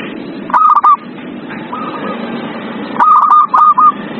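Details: Zebra dove song used to coax a silent bird into singing: two brief bursts of quick stuttering coo notes, separated by a faint softer phrase, against constant background hiss.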